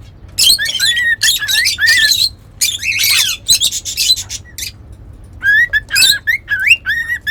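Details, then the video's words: Pet cockatiels whistling and singing, a burst of harsh, squawky chirps and warbling notes with short rising whistles, pausing briefly before another run of chattering notes. "Cute Cockatiels Whistling & Singing"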